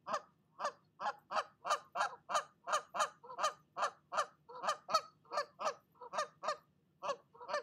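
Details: Nesting mother goose, seen on a wildlife nest cam, scolding another goose that came to her nest: a rapid, steady series of loud harsh honks, about three per second, continuing without pause.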